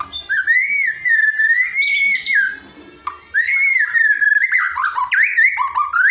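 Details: White-rumped shama tutor song for a bird that rarely sings: long smooth slurred whistles rising and falling, a short gap, then more flowing whistles mixed with quick chirped notes.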